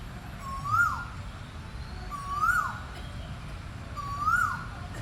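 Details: Asian koel (Eudynamys scolopaceus), call.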